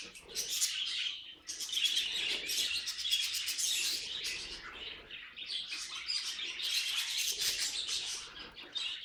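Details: Budgerigar, a pet bird, chattering: rapid ticking and squeaky warbled phrases in two main bursts, with a brief pause near one and a half seconds and a quieter stretch around six seconds.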